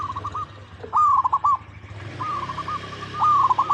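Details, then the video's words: Zebra dove coo song over steady low hum and hiss: repeated short stuttering phrases of clipped notes, four bursts in under four seconds. "Perkutut Lokal Gacor Suara Paling DiCari Untuk Pancingan Semua Burung Perkutut Agar Bunyi"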